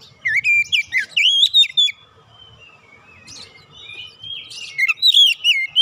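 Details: Oriental magpie-robin singing, a recording meant to coax other birds into song: clear looping whistles in rapid bursts, then a softer thin drawn-out whistle before more loud swooping notes.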